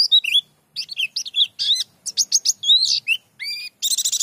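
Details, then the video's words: Pleci dakun white-eye singing ngerol with many filler phrases: fast, jumbled high twitters and slurs, a clear rising whistle, and a dense buzzy chatter at the end. "Pleci Dakun Ngerol Gacor Bongkar Isian"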